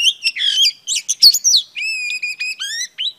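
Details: Female Oriental Magpie Robin singing to stimulate males: a varied run of clear whistled notes, some sliding and some steady, a brief click midway, ending with short rising whistles, no other sounds.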